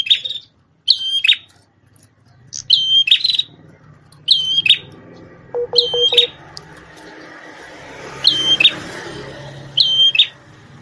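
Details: A red-headed prenjak tamu prinia, formerly a master bird for shamas, delivers a series of high whistle-and-buzz phrases about every one and a half seconds. Low rumbling and a brief lower tonal chatter are heard midway.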